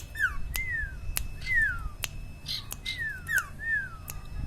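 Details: Common iora known as sirtu or cipaw, singing vigorously: repeated sweet whistles that rise briefly and then glide down, roughly five in four seconds, punctuated by sharp clicking sounds.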